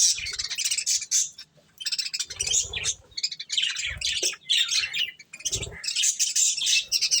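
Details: Pet budgerigars eating corn, giving bursts of busy, scratchy high chirps and warbles with short pauses between, plus faint low thumps beneath.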